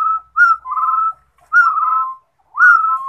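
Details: Rufous-throated partridge, called Yij Coj Kum in Hmong, singing: three clear whistled phrases, each a short rising note sliding into a longer level or falling whistle, about a second apart, with a clean, quiet background.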